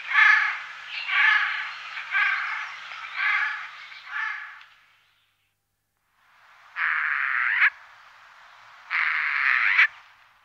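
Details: Morning Eurasian jay in the Wittlich valley, Germany, 2018. A run of five rough, harsh screeches, then quiet, then two separate flat rasping screeches about two seconds apart.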